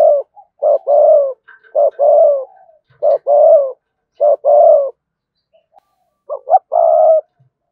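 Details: Spotted dove urging coos used to lure wild doves: deep, low repeated coo phrases, each a short note followed by a longer hollow purr, given about every 1.2 seconds with quiet gaps between.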